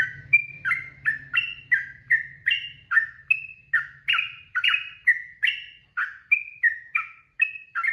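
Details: Rapid, continuous 'ropel' song of a Sooty-headed bulbul, prepared as tutor audio for caged birds. Bright slurred whistles follow each other almost three per second, shifting in pitch, with a faint low drone at the start.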